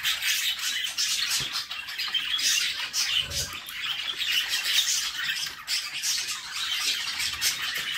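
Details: Budgerigar mother feeding her babies in a nest box; the chicks give unbroken raspy, scratchy begging squawks, steady and loud, with faint low knocks beneath.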